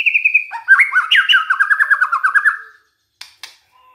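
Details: Lure song of a white-rumped shama meant to stir other shamas to sing: a steady whistle leads into a fast, regularly pulsed trill sliding slowly downward, then two sharp clicks and a soft low whistle.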